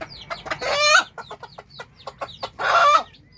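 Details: Hen summoning her chicks to food with two loud raspy squawks framing a string of quieter clucks, while soft high chick peeps sound in the background.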